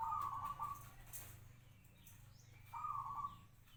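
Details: Captive local zebra dove, five years in keeping, gives two brief rolling trilled coos separated by a pause of about two seconds.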